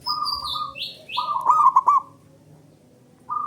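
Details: Male zebra dove song for triggering quiet doves to sing: a steady coo, then a rolling, stuttered coo phrase, and a fresh coo beginning after a pause. Overlapping high, slurred whistles from other birds are heard early on.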